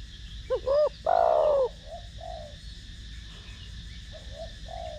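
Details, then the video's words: Spotted dove in 'thổ đồng' voice, cooing to excite decoy birds: one full phrase of a doubled short note and a long sinking coo, then quiet soft murmured notes over light background hiss. "Cu gáy Gù,Thúc giọng THỔ ĐỒNG kích mồi tập bổi rất hiệu quả/Cu gáy Giọng Thổ Đồng kích bổi nhanh gáy"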